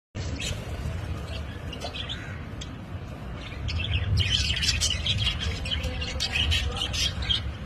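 Budgerigars chatter in quick, scratchy chirps and warbles that grow busier partway through.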